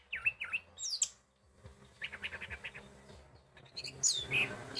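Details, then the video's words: Orange-headed thrush song played as a lure to prompt a silent bird into singing. Loud clear whistled phrases with steep up-and-down sweeps alternate with quick chattering notes and short pauses, ending in a bright high burst. "Pancingan Suara Anis Merah Bisu"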